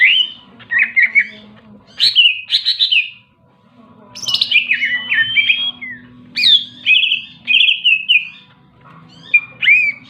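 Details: Lively greater green leafbird song made of clusters of sharp whistled notes and downward slurs, grouped in bursts separated by short gaps, with a faint low hum behind.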